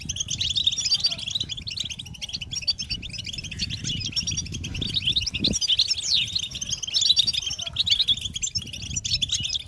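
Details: European goldfinches in full chorus, chattering and singing as mating calls meant to motivate males; unbroken high twittering and tinkling slurs for nearly ten seconds, one low thud midway, steady low rumble.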